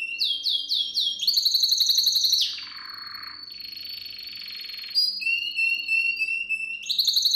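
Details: Canary singing a training song for young birds: looping falling notes, a fast trill, a long held whistle over a soft rasping roll, then quick chattering phrases and a renewed bright trill.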